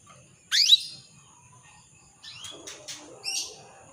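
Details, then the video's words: Female canary luring a male with her call: one loud, high, rising note, followed after a pause by a cluster of softer, buzzy chirps. "PANCINGAN KENARI BETINA MEMANGGIL JANTAN"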